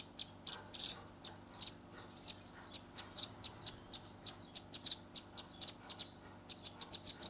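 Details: Young velvet-fronted nuthatch giving its 'tembakan' shooting song, phone-recorded: scattered sharp, very high ticking notes with a few brief buzzy trills, loosely spaced and then quickening toward the end.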